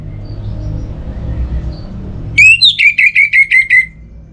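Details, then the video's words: Orange-headed thrush singing a single bright phrase: a higher opening whistle, then six or seven quick, evenly spaced slurred notes on a steady pitch, after a stretch of low rumbling background. "98% Obat Gacor Burung ANIS MERAH Buat Burung Yang Lagi Malas Bunyi"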